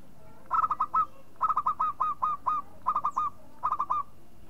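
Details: Zebra dove of a local strain giving its calling phrase: four clustered bursts of rapid, bubbling coo notes, each burst of four to seven short pulses, with the notes dipping slightly at their ends.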